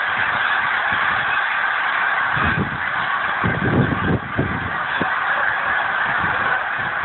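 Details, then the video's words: Frozen lake at Pemberton, NJ, December 19, 2010: a resting flock of thousands of geese suddenly flies up, filling the air with a dense honking chorus and bursts of heavy wingbeats. "Massive Flock of Geese Suddenly Take Flight !"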